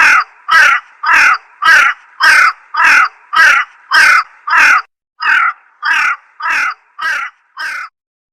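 A slender-billed crow gives about fourteen harsh, nasal caws in a steady series, nearly two a second. The last few are slightly softer, with no other sounds.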